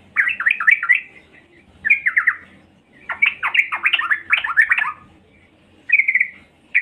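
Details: Yellow-vented bulbul female calling to lure males, with bursts of rapid, bubbling chatter in irregular phrases separated by short gaps, and a brief buzzy note near the end over a low background hum.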